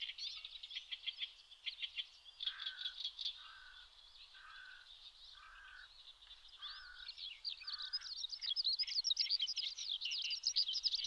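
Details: A wild Eurasian skylark on a Shin'etsu riverbed in Japan in May, singing high, rapid chirping phrases that swell into a busy warble, interrupted midway by another bird's lower, hoarse notes repeated about once a second.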